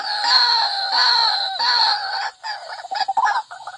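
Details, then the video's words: Lure call of a white-breasted waterhen: three long, harsh, harmonic squawks, each about half a second, followed by a quick burst of short, choppy clucking notes. "Suara Pikat Burung Wak Wak Garang"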